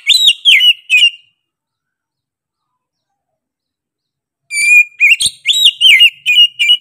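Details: Oriental magpie-robin (kacer) singing two loud bursts of bright whistled, slurred notes with quick chirps, a pause of over three seconds between them, nothing else audible.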